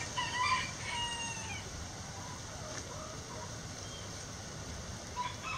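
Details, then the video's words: Chickens in a backyard coop, one giving a couple of bright, quavering, slightly rising calls at the start, then quieter scattered notes over a steady hiss and soft rustling. "Backyard Chicken Sounds"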